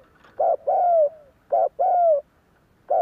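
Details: Lure cooing of a Spotted Dove, meant to make other doves answer: a brief hard note, then a drawn-out coo sliding gently downward, the pair repeated twice with a third starting at the end, about a second apart.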